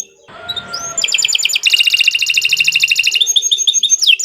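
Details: Caged canary used as a master song for tutoring other birds, starting with a thin rising whistle, then launching into loud, rapid rattling trills followed by quick chirping notes.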